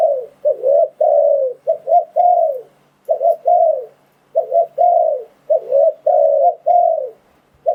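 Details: Spotted dove trapping lure: steady series of soft cooing phrases, each a couple of brief notes followed by a longer falling coo, repeated closely with clean, quiet gaps.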